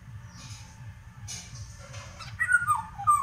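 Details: Indian golden oriole, known locally as Haladi Basant, in song: faint high hissing sounds, then a rich fluty whistled phrase of descending slurred notes near the end, over steady low background hum.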